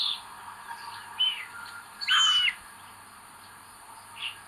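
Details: Common buzzard (Buteo buteo) chick at a nest where the eldest chick is aggressive, recorded 25 May 2022, giving thin, high whistled cheeps: one short note, then a longer, louder wavering call, with faint similar notes around.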